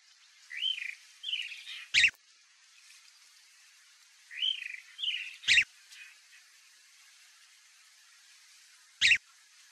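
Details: A chalk-browed mockingbird repeats a phrase roughly every three and a half seconds: two curved, whistled notes ending in a sharp, clipped chip, then a lone chip at the end, against a soft steady hiss.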